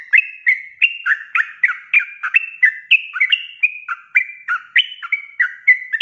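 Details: Sooty-headed bulbul (trucuk) delivering 'ropel' song as a training recording for cage birds: sustained series of quick, melodious whistled notes with down-slurred and up-slurred elements, roughly three per second throughout.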